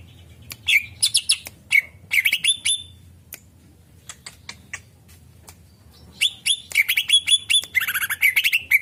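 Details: Greater green leafbird song used as a lure for other birds: loud bursts of clear whistled and chirping notes, many with sharp upward sweeps, in quick runs separated by short pauses, with clicks and a soft low hum behind.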